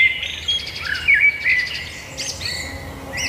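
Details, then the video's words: Birds singing: quick high chirps and short whistled notes in the first half, then fainter trills and scattered calls from other birds. "birds singing"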